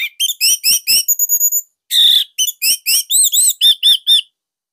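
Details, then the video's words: Caged Bali orange-headed thrush giving a loud, tight master song used to stimulate other thrushes: a rapid series of repeated whistled slurs, a brief harsh burst, then more arched, repeated whistles. "GACOR Dorr Kicauan Joss ANIS MERAH"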